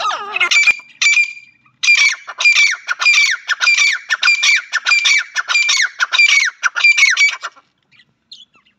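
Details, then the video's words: A francolin (teetar), presented as a female, gives a harsh, grating squawk, repeated roughly every half second in a rapid series for about six seconds, then stops. "female teetar awaaz madi teetar ki awaz francolin sound"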